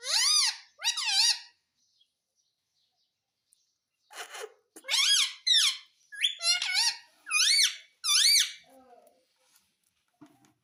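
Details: Pet green ring-necked parrot indoors, said to say mitthu and mummy; loud harmonic syllables with rise-and-fall contours in paired bursts, a pause, then a rapid run of about six similar syllables.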